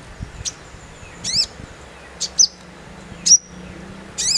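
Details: Sogon, or crimson sunbird, singing harshly in the "nembak kasar" manner: piercing high chips and brief twittered bursts at uneven intervals against a hissy background.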